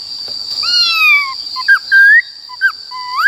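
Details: Black-throated laughingthrush in 'wild voice' style for training young birds: two long drawn-out falling whistles, then short upslurred and level whistled notes with gaps, over a constant high electronic tone.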